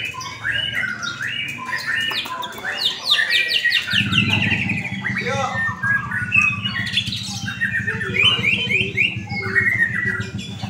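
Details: White-rumped shama at an Indonesian latber contest. Busy chattering and whistled song continues throughout, while a low droning hum and music join midway.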